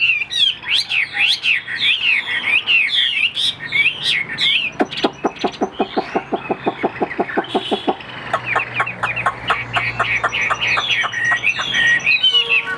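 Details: Chinese hwamei, a caged bird, opens with fluid looping whistles, then switches to a long, fast series of dry, clicking ticks, and closes with more ticking mixed with brief whistles.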